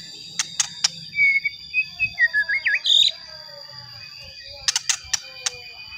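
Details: White-rumped shama song aimed at provoking other shamas: a few sharp clicks, then a clear whistled phrase of sliding, looping notes ending in a high flourish, and more clicks after a pause.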